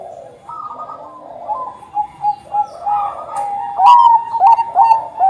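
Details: Bangkok-type zebra dove singing to draw other doves into song; soft, blurred cooing builds into a louder run of sharp, stuttered coos toward the end.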